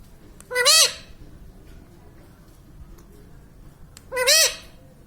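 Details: Pet parrot, filmed saying "mummy papa": two single loud, arched harmonic syllables about three and a half seconds apart, with quiet room noise between.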